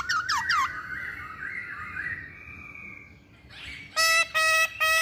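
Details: Masked laughingthrush giving fast wavy whistles over a hissy background, then three loud, harsh, nasal squawking calls, each about a third of a second long, in close succession.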